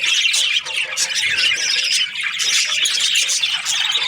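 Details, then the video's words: Cheerful budgerigar chirping, a lively jumble of sharp tweets, squeaks and buzzy warbles delivered nonstop. "Happy budgie chirping sounds"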